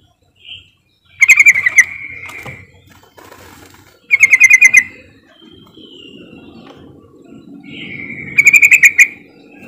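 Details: Yellow-vented bulbul lure call intended to make silent bulbuls sing: three bursts of rapid stuttering notes, each preceded by a short rising whistle, spaced several seconds apart over low rumbling background noise.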